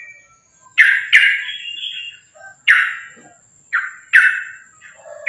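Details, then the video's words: Sooty-headed bulbul from a lure recording meant to make other bulbuls sing: scattered abrupt, squawky chirps about once a second, each bursting loudly then fading, with a thin, steady high whine running through the background. "trucukan gacor tarung sambung ropel ini ampuh buat pancingan trucukan agar bunyi"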